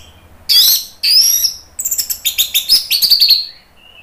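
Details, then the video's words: Orange-headed thrush (anis merah) song from Indonesia, used as lure and therapy audio to make other birds answer. Two loud, broad, harsh phrases open, then a quick run of about a dozen clipped notes, ending in a faint thin whistle. "SUARA ANIS MERAH bikin EMOSI jadi NYAUT NGEPLONG"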